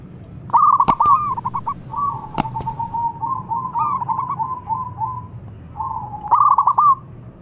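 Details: Zebra dove, a local bird, calling to challenge rivals: stuttered bubbly phrases running into a long rolling trill, with two sharp clicks early on and a final louder burst.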